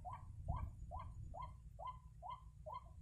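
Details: During bird trapping, a white-breasted waterhen gives seven harsh, arched notes spaced evenly a little over a third of a second apart, against a steady low hum.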